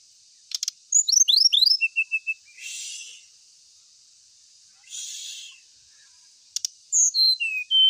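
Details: Ashy tailorbird: rapid rising chirps and short whistles, two hissy noise bursts, then four clear whistled notes stepping downward near the end.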